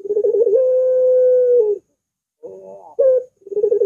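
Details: Spotted dove coo opening with rapid wavering pulses that settle into a long level drawn-out note, then a short pause and a brief rising note before the pattern begins again.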